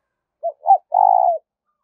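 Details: Spotted dove giving a call used to excite and train decoy birds: two short mellow hoots, then a longer, slightly burry coo that drops at the end, in clean silence.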